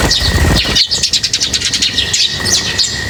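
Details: A group of birds at feeding time chirps in fast, busy high twitters, several notes per second in a steady run, over a continuous faint whining tone.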